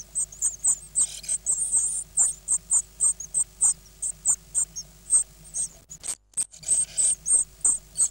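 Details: Great tit nestlings, nine in the brood and eight days old, begging as a parent feeds them: regular high, sharp peeps about twice a second, interrupted near the end by a loud knock, then resuming.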